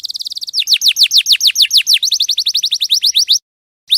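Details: Champion canary song used as tutor material for training songbirds: a fast buzzy trill, then rapid descending whistled sweeps about five per second, then a brief pause and a final note.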